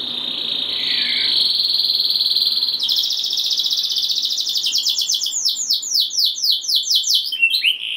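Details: Canary singing to spark song in other canaries: a long, even, buzzy trill held for several seconds, then a faster roll that breaks into repeated swooping downslurred notes.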